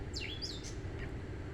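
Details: At sunset on June 9, 2024, a gray catbird singing from a backyard tree, where it sings most of the day and night, gives a quick burst of squeaky, swooping whistled notes sliding up and down, then one faint note, over a low rumble.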